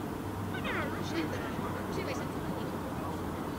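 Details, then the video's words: A parent herring gull (Larus argentatus) on a rooftop in Helsinki, Finland, in July 2016, watching its fledgling before taking off, gives a few faint, mewing, cat-like calls with short downward slurs over steady low wind or distant traffic rumble. "Herring Gull keeping an eye on its fledgling, vocalizing"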